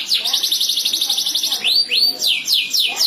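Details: Canaries trading song in chatty gacor style: a rapid pulsed trill held for a second and a half, then several bright rising and falling whistled slurs.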